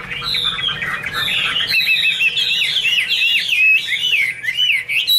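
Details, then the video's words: Garrulax canorus, the Chinese hwamei, delivering a rich flowing song of looping whistled notes that swoop up and down in quick succession, loud and unbroken throughout. "Birds Garrulax canorus: Singer yellow mouth - wonderful birdsong"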